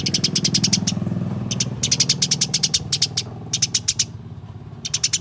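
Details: Caged house sparrows fighting give rapid runs of shrill high chirps in repeated bursts, set against a loud low rumbling hum throughout.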